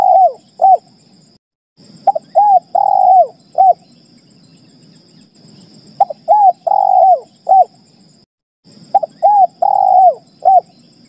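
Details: Spotted dove, played as a call that other doves respond to, gives mellow, rolling coos in phrases of three to four notes, repeated every few seconds, over a steady high whine and low hum.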